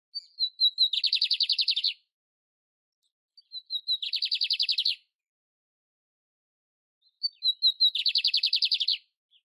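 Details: Lined seedeater singing in nature: each phrase opens with a few thin, high whistled notes, then a fast buzzy trill lasting about a second. Three phrases repeat roughly every three and a half seconds, with silence between them.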